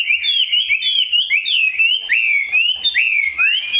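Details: Caged Chinese hwamei with clear, ringing whistled phrases that swing up and down, several rising sharply at the end, delivered in quick succession.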